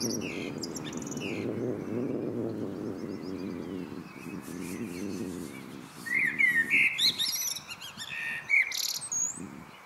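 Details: Evening song of a common blackbird. A low rushing background fills the first seconds, then a loud phrase of rich fluted notes arrives, ending in high, scratchy twitters.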